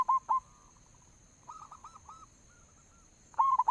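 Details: Lure song of a local zebra dove: two loud clipped coos, softer drawn-out notes and a trailing faint series, then a fresh loud rolling burst at the end.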